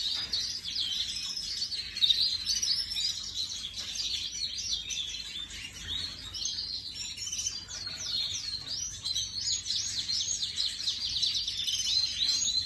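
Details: Ornamental canary imported 2024, recorded 18 May 2025: a long, dense, high warbled song of quick chirps, rolling trills and sweeping notes, sustained without pause.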